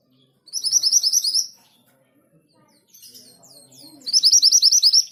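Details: Orange minivet singing two rapid phrases of high, slurred whistled notes, about ten each, separated by a pause with fainter twittering and low murmurs.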